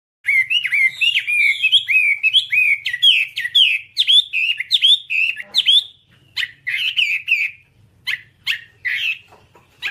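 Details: Whambie song used as a tutor recording for training birds: rapid run of whistled, upslurred chirps, then sparser sharp notes with brief pauses, over a faint low hum.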